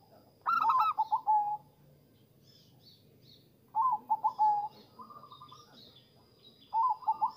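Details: Zebra dove song, used to lure and stimulate zebra doves: three stuttering cooing phrases about three seconds apart, each a quick burst of clipped notes settling onto a lower tone, over a low murmur and a steady faint whine.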